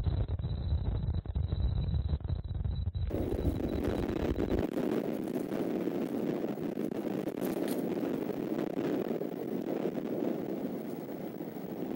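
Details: Wind buffeting and low rumbling noise, with no animal sound heard.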